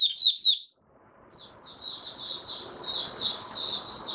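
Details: White-eye dated 08-01-2022, a bird getting back into form with its opening song: a short bright twittering burst, a pause, then a continuous run of high, rapid, slurred chirping notes over faint background hiss.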